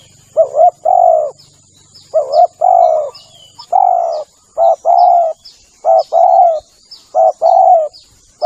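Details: Spotted dove lure call: clear, hoarse two-part coos, a short note then a longer drawn-out one, repeated in pairs about every second or two, with thin high chirps of small birds above.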